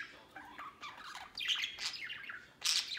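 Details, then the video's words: Budgerigars out of their cage at play; scratchy warbling chatter with rising and falling notes, ending in a sharper loud squawk. "Happy Budgies Playing Outside Cage快乐小白之流连忘返"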